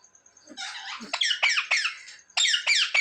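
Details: Pet parrot that mimics mummy and papa; harsh, buzzy screeching in rapid clipped bursts, several per second, broad and noisy.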